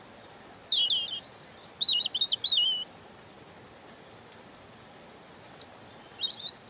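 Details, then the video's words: European robin singing high, thin, warbling phrases, with two short bursts separated by silence and another fragment at the end, over a quiet background. "Ласковое пение Зарянки(малиновки)"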